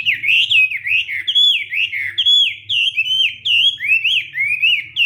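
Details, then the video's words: Fighting-style morning song of a Hwamei in voice training: rich, loud whistled phrases of swooping up-and-down slurs, repeated in quick succession with barely a pause. "Hoạ Mi Hót Đấu /hoạ mi hót sáng luyện giọng kich bổi sổ giọng chim hót hay mỗi ngày"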